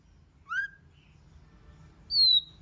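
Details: White-rumped shama giving two separate clear whistles: a short rising note followed after a pause by a long, high, slightly descending pure whistle, over faint low background hum.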